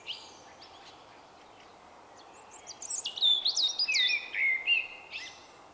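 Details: Male common blackbird, easily startled, singing his unusual "vuippi vuippi vuuu" song in March 2024: faint notes at first, then a loud run of high squeaks dropping into mellow downward-sliding whistles.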